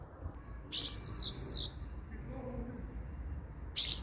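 A Common starling gives a burst of high, sweeping whistled chirps lasting about a second, then starts again near the end over a low steady background hum.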